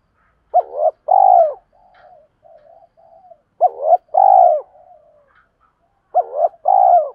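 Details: Decoy spotted doves, males and females, calling to draw in wild birds; three low cooing phrases, each a short hooked note followed by a longer, fuller coo, come about every two and a half seconds with faint murmurs between.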